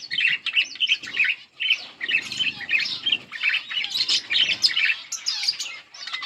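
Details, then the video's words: A yellow pair of pet budgerigars chirping: continuous warbling chatter of quick high chirps and buzzy notes, rising and falling with short pauses. "Beautiful budgies parrot yellow pair 💛 budgies chirping sounds"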